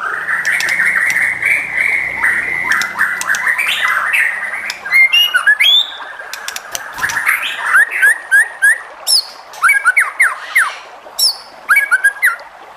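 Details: White-rumped shama song meant to provoke other shamas into singing: a long, steady whistled tone, then quick varied whistles, sharp clicks and short rising and falling notes in rapid bursts.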